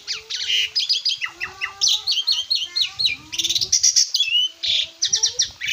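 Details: Master recording of an Asian pied starling, made for teaching cage birds, full of rapid chirps, buzzy bursts and short rising whistles packed closely together, with a faint low tonal line beneath.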